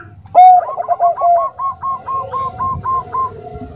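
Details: Soft-voiced Bangkok zebra dove, a female said to call a male with 'nutut' notes: a single phrase opening with a drawn, rising coo, then about ten short, evenly spaced notes that slowly fade.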